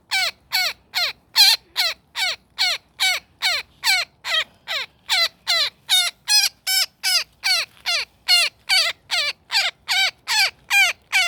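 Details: Woodpecker trapped in a net during a rescue, squawking harshly and insistently, each note buzzy and bending downward, about two and a half calls per second throughout.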